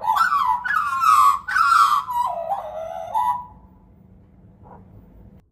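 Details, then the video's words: An Australian magpie carols outside a front door: a rich, fluting warble of sliding, mostly falling notes for about three seconds, then near silence with one faint note. "Australian Magpie Caroling"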